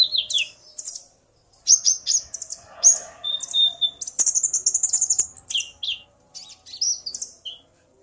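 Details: Male common iora singing after hearing a female, the pair trading calls: sliding whistles, then a fast burst of rapidly repeated chirps, followed by a few more scattered whistled notes.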